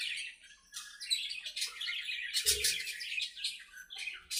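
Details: Playing budgerigars in their aviary keep up a busy warbling chatter of squeaks, clicks and buzzy notes, rising into a louder burst midway, with one soft low thud.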